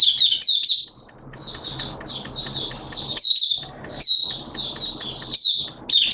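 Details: Mata Puteh, the Oriental white-eye, kept as a hobby bird and singing buka in wet, erratic weather in September 2022: high, sweet twittered phrases in clusters with short gaps, soft background rumble between bursts.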